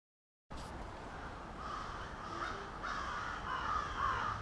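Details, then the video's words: Many crows at a nightly suburban roost in Halifax, Nova Scotia, calling together in a dense, blurred wash of caws that swells louder toward the end after a brief silent start. "A Murder Of Crows"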